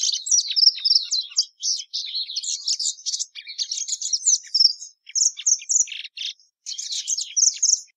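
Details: Continuous high warbling song of the plumbeous seedeater (Sporophila plumbea): quick chirps, trills and whistled slurs in phrases of about one to one and a half seconds, separated by brief pauses.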